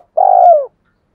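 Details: Spotted dove decoy bird giving its 'hai hậu' call, used to lure wild doves: one loud, drawn-out, husky coo that holds level, then slides down at the end.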